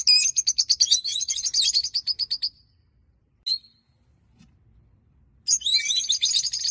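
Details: A small flock of five rosy-faced lovebirds (one bright olive, one pale olive, three lutino) give a burst of shrill, rapid, repeated chirps for about two seconds, a single squeak, then another bout of busy, high chattering twitters.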